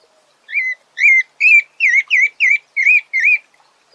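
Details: Sabiá thrush repeating eight short whistled notes in a steady run, each with a small upward-then-downward twist, roughly two or three per second, in an otherwise quiet place.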